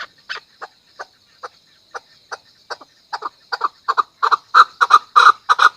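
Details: Chukar call building from isolated chuk notes about half a second apart into a louder, faster, throaty chukar-chukar run.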